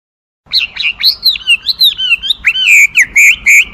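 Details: Chinese hwamei singing a loud, varied run of clear whistled phrases, sliding up and down, with rapid notes crowding toward the end.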